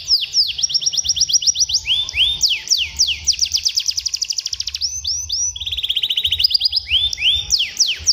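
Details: Canary song played as a tutor for juvenile canaries, bright high trills in changing tours, fast downslurred notes, a rapid buzzy roll, then rising whistled phrases.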